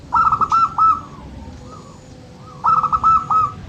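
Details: Local zebra dove, for stimulating quiet birds: two phrases of quick, tremulous cooing, each four or five stuttered notes gliding into a drawn-out softer coo, with a faint low coo between them.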